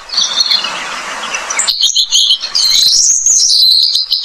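An Australian pipit gives high, thin chirps that run into a fast, continuous twittering chatter, about three notes a second, over a faint hiss.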